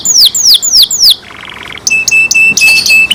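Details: Kept canary singing: four loud descending swept whistles, a soft low buzzy roll, then steady flat whistled tones broken by bursts of clipped high notes.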